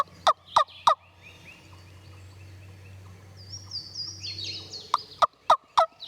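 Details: Wild Turkey gobblers and jakes in Tennessee timbered ridge woodland, answering a hunter's wingbone call: a loud burst of three rapid, rattling gobble notes, then chirping songbirds, then another run of four sharp gobble pulses.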